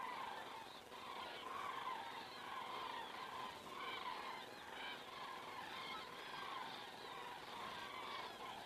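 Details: Evening flock of common cranes passing overhead in Estonia at 19:10 on 19 September 2017, recorded by a crane camera; a continuous blur of bugling, rolling calls from many birds, moderately loud, with no clear gaps.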